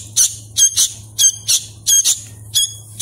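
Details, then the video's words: Hand-fed Sooty-headed bulbul chick, a young bird still learning its calls, giving harsh, rasping, high squawks in short bursts and pairs roughly every half second, over a steady low hum. "suara asli kutilang anakan | burung kutilang loloh"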